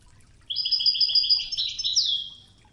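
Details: Wedani-style European goldfinch song from a training recording with river water: a quick string of evenly repeated bright twitter notes running into a buzzy, downslurred flourish, over quiet flowing water.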